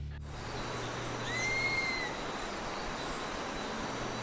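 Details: Dusky-capped Flycatcher in Costa Rica giving its somewhat mournful call, a single plaintive, drawn-out whistle that rises slightly and then sags, about a second long, over steady background hiss and a faint hum.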